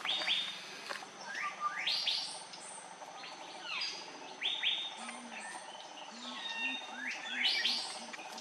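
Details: Andaman bulbul (Pycnonotus fuscoflavescens), filmed close up on Andaman Island, India, in March 2020, gives bright, sweeping chirps and short rising whistles, several per second. A soft, low hooting runs underneath in the second half.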